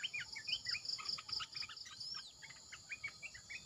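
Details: Caged Red-eyed bulbul calling as a decoy: rapid bubbly notes at first, thinning to spaced short chirps, with a pulsing insect trill and an arching whistled sweep behind.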